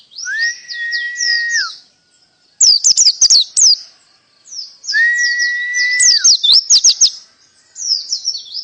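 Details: Canary-style song alternating a level sustained whistle under high warbles with sudden volleys of sharp, rapid chirps; the pattern repeats twice with short silences between phrases.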